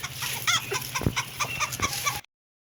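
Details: Hen eating food, giving a rapid run of short, soft clucks with a few sharper high notes and faint tapping, over low background hum, ending abruptly after about two seconds.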